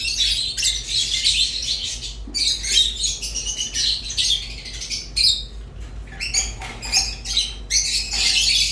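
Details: Rosy-faced and Fischer's lovebirds in song, giving bursts of shrill, buzzy twittering broken by brief gaps and sharp squeaks, about nine seconds of busy high chatter.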